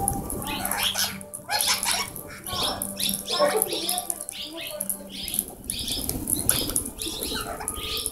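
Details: Plum-headed parakeets on hidden camera at Shambhuwala, Nahan, Himachal Pradesh, India, giving a busy run of short, shrill squeaky notes, several a second, with rustling or wing flutters and a faint steady electrical hum.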